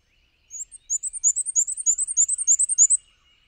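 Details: ['High-pitched squeaky song of a Black-and-white warbler moving between perches, a rapid run of two-part wee-see notes lasting about 2.5 seconds, like a squeaky wheel, with a faint thin trill from another bird underneath.']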